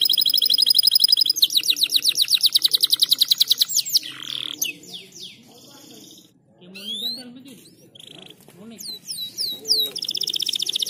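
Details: Canary in breeding mood, song to speed up mating: a loud high rolling trill for about four seconds, then a quieter stretch of scattered slurred notes and low voice-like sounds, ending in renewed trilling.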